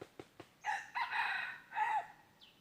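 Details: Red junglefowl crow from a decoy trapping session for wild junglefowl, 23 January 2022. A few sharp clicks come first, then a harsh three-part crow with a stretched middle section and a short final note.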